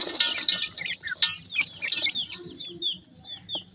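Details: Feeding grey francolin chicks give a rapid string of shrill, high peeps and brief downward chirps. Wing flutters and taps sound early on, and the chirps thin out toward the end.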